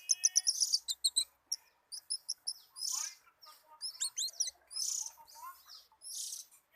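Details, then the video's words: Singing oriental magpie-robin, or kacer, in a relaxed mood: quick clusters of high chipping notes, then varied scratchy and whistled phrases with sweeping slurs, ending in loud harsh hissed notes roughly every second. "BURUNG KACER LAGI ENJOY"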